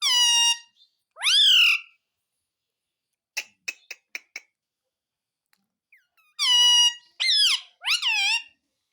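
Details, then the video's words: Pet Indian ringneck parakeet said to talk "mummy papa": paired loud, nasal, rising-falling harmonic syllables at the start and again near the end, separated by a run of sharp clicking taps. "Parrot Talking _ Mummy Papa Bolne Wala Parrot"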